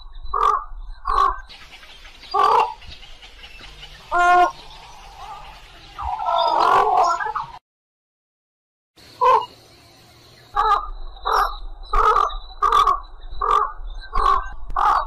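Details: Harsh, croaking white egret calls, short hoarse notes repeated about every half second to one second with a brief silent gap midway, described as calling to the flock.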